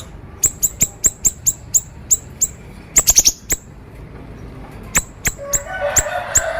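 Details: Siri-siri bird, actively singing konslet style, a song used for training other birds: a steady run of sharp, piercing high chips about five per second, a quick rattled triplet, then spaced notes over faint noise.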